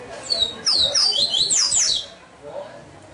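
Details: Bred in Salvador, Brazil, a double-collared seedeater gives a short phrase of sharp, sliding high whistles, rising and falling rapidly for about a second and a half, then fading into quiet background hiss.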